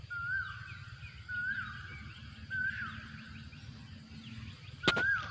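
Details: Asian koel in a rubber plantation repeating a loud, clear rising whistle with a dropping tail, four times at intervals of about one and a quarter seconds, with a low hum and a sharp knock near the end.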